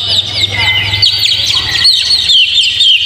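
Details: Oriental magpie-robin (kacer) song used as a lure for caged birds: a continuous, busy flow of high chirps and slurred whistles over a steady low hum.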